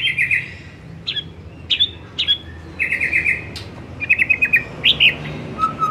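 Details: Afternoon white-rumped shama lure song: short buzzy trills alternating with sharp whistled chips, ending with a soft low whistle.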